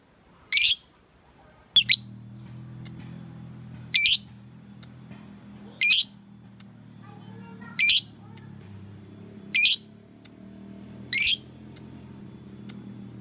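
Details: Lovebird calling a rival, sharp piercing squawks repeated roughly every two seconds, seven in all, over a low humming background.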